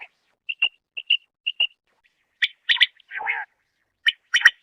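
Common quail giving three quick paired chirps about half a second apart, then harsher, buzzy bursts and a lower rasping note.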